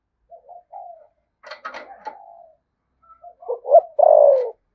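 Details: Spotted dove in 'giọng thổ sấm' voice doing 'thúc gù' cooing, Đồng Nai, Vietnam. Quiet soft coos and a brief burst of rustling clatter come first. The clip ends with a strong double hoot and a long falling coo.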